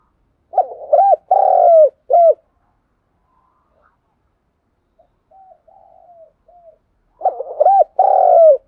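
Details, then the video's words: Two low, mellow cooing phrases from a spotted dove calling in the morning, each a run of three or four rounded coos, with quiet soft notes in the gap between them. "tiếng cu gù và gáy gọi buổi sáng"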